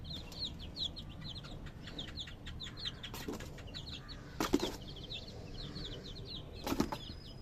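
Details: Baby chicks peeping: many short, high, falling chirps repeated rapidly and overlapping from several birds, with a few loud thumps or knocks and low background rumble.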